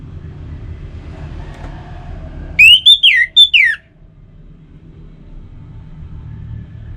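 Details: Orange-headed thrush singing, a recording meant to draw song from kept birds: about a second of clear, sliding whistles, several falling sharply, bracketed by a quiet low hum.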